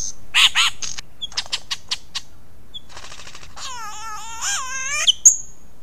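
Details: Male lyrebird in its early morning performance, Ben Ricketts Environmental Preserve, 15 July 2018, motion-sensing wildlife camera: soft scattered clicks and chips, then a long, rich, wavering whistled note ending in a sharp high tick.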